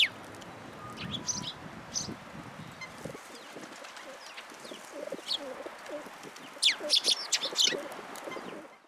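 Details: Sparrows coming to a feeding platform to be fed at a Tenmangu shrine on 14 February 2023: scattered short high chirps and tweets, with a busier burst of chirping near the end, over low rumbling background noise in the first seconds.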